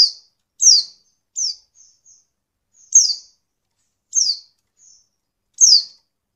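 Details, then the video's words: Oriental white-eye female giving calls meant to stir lazy males into song: high downslurred chirps, five strong ones mixed with a few softer, fainter notes, otherwise quiet. "pleci betina untuk merangsang bunyi pleci bahan"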